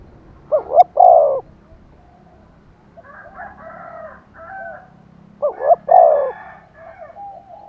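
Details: Decoy spotted dove calling vigorously so wild doves coo in reply: two loud hollow coo phrases of looping notes several seconds apart, with softer, higher overlapping cooing from another dove in between.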